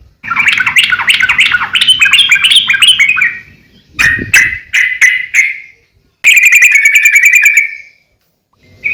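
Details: Energetic sooty-headed bulbul song meant to tutor and attract birds: a long warbling chatter, then a few separate sharp notes, then a buzzy trill, with silent gaps between phrases.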